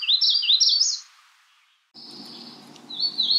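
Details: Magnolia warbler calling: a quick, high warbled phrase of rising and falling notes lasting about a second, then a pause and a thinner sustained high note with a brief second phrase, with faint low background hiss.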